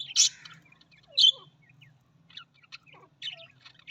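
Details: Australian parrot calling with sharp high chirps and squawks, two loud bursts near the start then scattered softer twitters and short descending notes, over a low steady hum.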